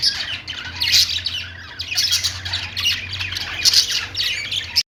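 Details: A group of pet budgies fills the room with shrill chirps, squeaks and buzzy warbles, calls overlapping without pause until an abrupt stop, over a low mains-like hum.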